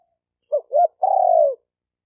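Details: Cooing of a spotted dove, played to stimulate decoy, male and female doves: two short hooked notes quickly followed by one long, steady, gently falling coo, against silence.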